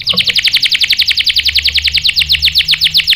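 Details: Canary, caged, used to provoke other canaries to sing, delivers a rapid rolling trill of repeated high downward-slurred notes, about seven per second, steady throughout.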